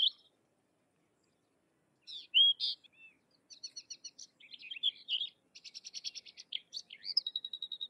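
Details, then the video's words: Sykes's lark in varied song: a short note, a pause of nearly two seconds, then chirps, rapid pulsed trills, and a closing long, thin steady whistle. "Sykes's Lark or Twany Larks Singing - Songs - Call - Sounds"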